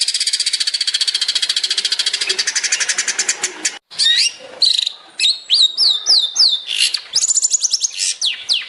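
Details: Long-tailed shrike song for training songbirds: a long high rattling trill, then a varied sequence of sharp chips, hooked whistles and short trilled phrases.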